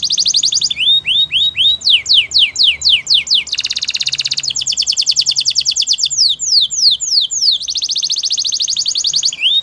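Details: A Spanish Timbrado canary alternates rising and falling whistled sweeps with a lower buzzy roll and long, fast, ringing trills, keeping up continuous song.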